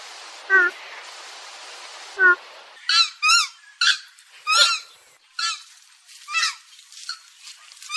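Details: Purple gallinule call played to lure birds for hunting: two lower honks, then a rapid burst of harsh nasal harmonic calls, some doubled, over a steady background hiss.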